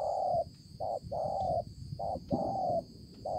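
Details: Spotted dove, 5 September 2020, delivering loud, closely spaced coos that alternate short and long held notes in a steady rhythm, with constant faint high-pitched hiss behind.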